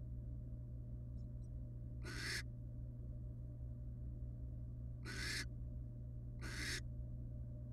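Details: Wild barn owls resting together as a family in a nest box give three loud, breathy rasping hisses separated by long pauses, over a constant low electrical drone.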